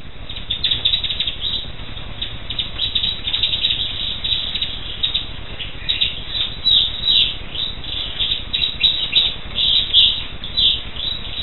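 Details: Black siskin delivering a continuous, rapid twittering song of dense high chattering notes that run without a break for over ten seconds.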